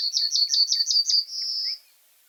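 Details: Common reed bunting song: six quick, high chipping notes in an even rhythm, run into a drawn-out buzzy note that fades after about a second and a half. No other sounds.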